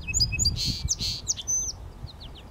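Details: Song sparrow (Melospiza melodia) singing on Prairie Island, AE Wilson Park, West Regina, Saskatchewan, Canada, 30 May 2017: bright, sharp introductory notes, two harsh buzzy bursts, then a quick run of descending chips over a low steady rumble.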